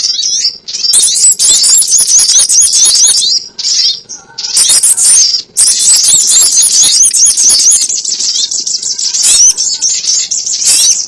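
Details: Crimson sunbird calls used as a trapping lure: dense, very high, thin twittering and rapid trills in long unbroken bursts, broken by two short pauses near the middle, with no other clear sounds.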